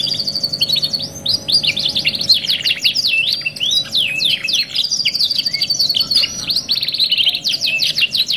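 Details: Canary song from a two-in-one kenari masteran tutoring recording: dense, continuous rapid trills and chattering high notes with quick downward sweeps, long trilled runs, and a constant faint low hum underneath.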